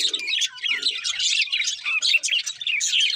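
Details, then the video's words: Cheerful budgerigars feeding and singing, with fast chattering warbles and squeaky chirps; a few faint low murmurs appear beneath the bright chatter. "Happy Budgies Singing and Eating"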